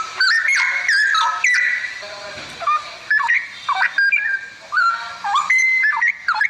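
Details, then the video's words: Song of a straw-headed bulbul: a stream of clear, liquid whistles and warbling phrases, some notes held briefly and others sliding or bubbling quickly, broken by a brief quieter gap. "Burung cucak Rowo"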